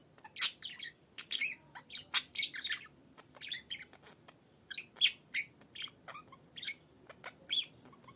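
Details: Budgerigar perched atop its cage at home in the morning, chattering in a steady run of sharp chirps, scratchy warbles and clicks, spaced unevenly across several seconds, otherwise quiet.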